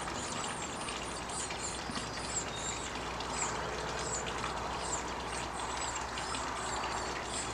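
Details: At a backyard nest box where a Chestnut-backed Chickadee parent brings food to chicks hatched a few days earlier: very high, thin, short notes repeated rapidly and steadily, over a hissy background with a low hum.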